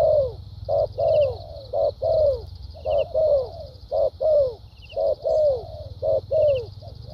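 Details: Caged spotted dove decoy with a good, textbook voice, in thúc gù style with lèo dặm, repeats brisk pairs of a short note and a longer downslurred coo roughly every second; a high buzzing insect and faint ticking sound behind.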